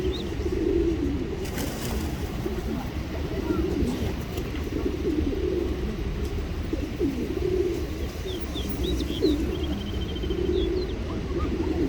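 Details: Pigeons in a large flock being fed in the UK, with soft low coos repeating through a steady traffic rumble. Thin high chirps of small birds come in near the end.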